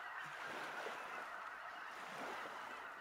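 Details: Large flock of snow geese over Limestone Bay, Wheeler National Wildlife Refuge, North Alabama, circling before settling on the water; a softer, distant mass of honking with a hissy background like wind or water.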